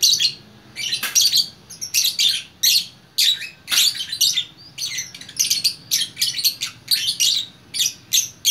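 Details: Lovebird from Bukittinggi, West Sumatra, performing 'gacor orkestra' song: many short, shrill, scratchy chattering bursts in quick succession, each under half a second, with a few sharp clicks between phrases.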